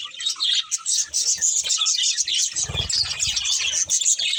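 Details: Budgerigar chatter: overlapping bright chirps and scratchy warbling notes, with a low thudding sound partway through.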